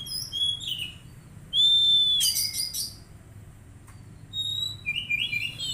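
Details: Untrained caged magpie-robin under daily care: high whistled notes, a loud sustained clear whistle, then a harsh buzzy rattle, a pause, and a final rising warbled phrase.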